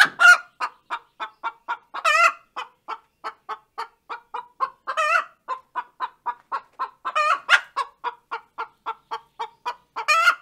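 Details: Laying song of a hen: rapid, regular clucks at roughly three per second, punctuated every few seconds by a louder, stretched, rasping cackle note, with no other sounds.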